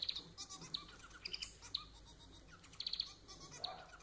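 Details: Caged society finch (Lonchura striata domestica) kept as a pet, giving quick high chirps and brief trilled phrases in scattered bursts over soft background noise.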